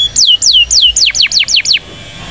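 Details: Indonesian canary song used to train young canaries: a run of eight loud, clear whistled notes, each sliding steeply downward, slowing then quickening, ending abruptly in quiet.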